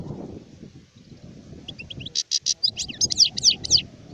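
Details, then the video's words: Adult European goldfinch, recorded in 2019, after a quiet start breaks into a fast tinkling twitter of bright, buzzy, chirping notes that rise and fall, with a low rumbling background throughout. "تغريد حسون كهل (شارف)"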